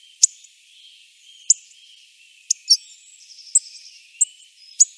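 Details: Hawfinch repeating sharp, explosive high clicks about once a second over a faint background of other thin, whistled bird notes and soft outdoor ambience.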